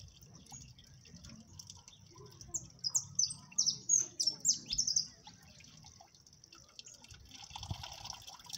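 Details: Siskin singing on a cold day while its keeper says it has little wish to sing: a quick run of high, thin, sliding twitters for about three seconds, with low background hum.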